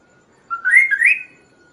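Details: Kaso-kaso singing, a recording used to train and lure other birds: one bright whistled phrase rising in two slurred steps and ending on a sustained high note, in otherwise quiet surroundings.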